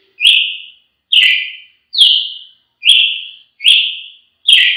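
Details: Brazilian tanager (tiê-sangue) singing a steady series of six loud, slightly falling whistled notes, each about half a second long, repeated almost evenly every 0.8 seconds.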